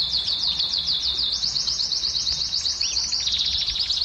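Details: Canary song meant to stimulate hens to mate: a long run of quick, zigzagging high notes repeated rapidly, briefly broken by a lower chirp, then resuming as an even trill.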